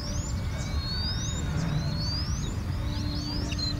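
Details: A Bay-backed shrike on the outskirts of Mancherial, Telangana, India, in November gives thin, high whistles that sweep upward, repeated about once a second, over a steady low rumble.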